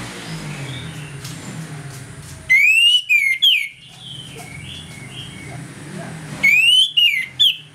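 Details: Orange-headed thrush singing in the 'ngeplong' style in the morning, used as a lure to make other thrushes aggressive: two loud bursts of clear whistled phrases, each rising and then dropping in quick slurred notes, with quiet low hum between.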